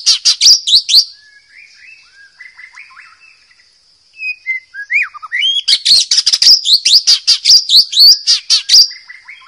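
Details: White-rumped shama singing in the wild, used as a master song for training young birds: loud bursts of sharp, high chattering notes, a quieter run of varied whistles and slurred phrases, then another dense rapid chattering burst, with a steady high insect-like hum throughout.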